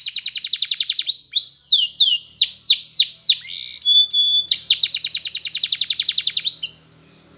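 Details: Spanish Timbrado canary singing in the morning: rapid metallic trills of repeated notes, then slower descending swooping whistles, a brief pure tone, and another fast bright trill before fading.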